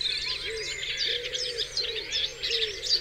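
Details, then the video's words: Many birds singing together at dawn on Dewlands Common, busy high twittering and chirping throughout, with repeated low cooing notes running underneath. "Dawn Chorus"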